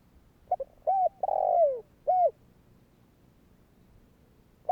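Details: Lure-style kích bổi cooing of a spotted dove aimed at getting other doves to call: small flicked notes, a hooted coo, a drawn-out descending rough coo and one clear closing coo, followed by quiet.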